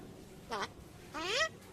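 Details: Common myna that talks and calls "choto" makes two short voice-like utterances with stacked harmonics, the second longer and rising, after a person asks what it said.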